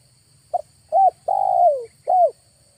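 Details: August trapping lure of a spotted dove: a clipped double note, then a short coo, a long coo that slides lower, and a final short arched coo, loud against near silence.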